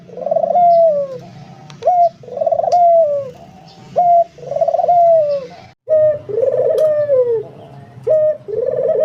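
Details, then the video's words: Barbary dove cooing steadily: a brief note, then a long, husky, descending rolled coo, repeated roughly every two seconds. There are occasional light clicks in the background. "suara burung puter gacor"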